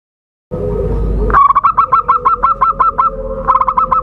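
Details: Zebra dove call used to lure birds for trapping: after a low murmur, a quick run of about ten staccato, bubbly notes stutters out at an even pitch, with a short second burst near the end.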